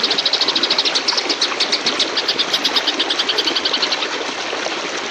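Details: Oriental magpie-robin in a fight, its ngebrem chatter kept as a master song for training: rapid rasping high pulses, slightly slower and less even toward the end, masked partly by a dense, constant noisy background.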